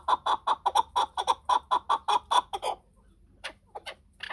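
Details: Chukar partridge giving a rapid series of about thirteen evenly spaced clucking notes, roughly five per second, then a short pause and a few scattered fainter notes.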